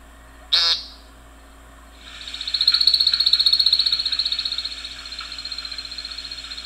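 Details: American Woodcock in display flight at sunset gives one short buzzy vocal note, then a long high twittering trill of rapid, even pulses made by its modified primary wing feathers.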